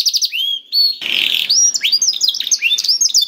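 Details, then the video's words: Song of a canary meant to trigger a silent bird to answer and sing: quick chirped notes, a brief rough buzzy burst, then a string of rising whistles and fast twitters. "PANCINGAN KENARI SUSAH BUNYI AUTO NYAUT GACOR TANPA HENTI || VOICE OF CANARY"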